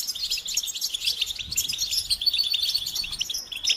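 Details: Goldfinches twittering as a motivational recording to make males sing: dense, moderately quiet, high tinkling chirps and short buzzy notes running throughout.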